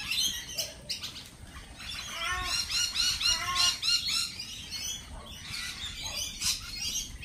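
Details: Lorikeets calling together at a lorikeet cafe: a dense, busy chatter of shrill, high screeches and short arched squawks, many overlapping and coming several times a second, with soft wing flutters among them.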